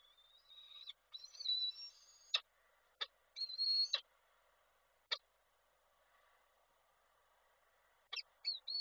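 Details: Male peregrine falcon briefly at the nest calling the female, recorded by a live nest camera in Koszalin, Poland, on 16 December 2023: high, thin, drawn-out wailing calls with sharp clicks between, separated by pauses.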